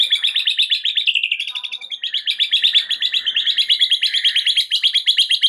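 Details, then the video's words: Murai batu (white-rumped shama) delivering a full 'isian' filler sequence to set off a stalled shama: continuous rapid chattering trills of repeated high notes, about three per second, with a short break and no other sounds. "Murai Batu FULL BONGKAR ISIAN , sangat EFEKTIF untuk PANCING Murai Batu anda yang MACET"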